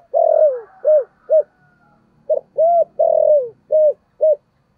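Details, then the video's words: Spotted dove singing the thổ-style coo used as a lure call for wild doves: deep, hollow coos in a rhythmic phrase, a long drawn note sliding down followed by short clipped ones, the phrase repeated twice. "Tiếng chim cu gáy giọng thổ gáy gọi bổi nhanh về cội"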